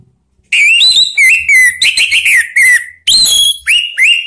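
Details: Orange-headed thrush lure call, meant to get other birds singing ('ngeplong'): a fast, continuous string of loud, sweet whistled notes, rising and falling slurs with brief buzzy bits, one short pause midway.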